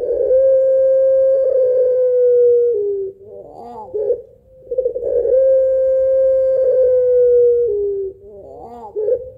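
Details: Puter pelung dove singing a long rhythmic coo meant as a lure for other birds: a steady drawn-out tone lasting about three seconds, sliding slightly down, then a short wavering trill. The pattern repeats twice, with a quiet background.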